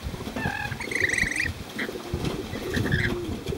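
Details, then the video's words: Befriended Rainbow lorikeets flying free in Cromer, Sydney, give a rolling, buzzy trill of fast chips, then scattered short squawks, with low thumping and shuffling noise underneath. "Free Flying Be-Friended Rainbow Lorikeets in Cromer Sydney"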